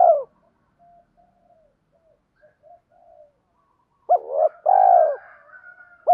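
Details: Decoy spotted dove luring wild doves with repeated cooing: a falling coo, several faint soft notes over a pause, then a hooked note, a wavering note and a long steady coo trailing off quietly.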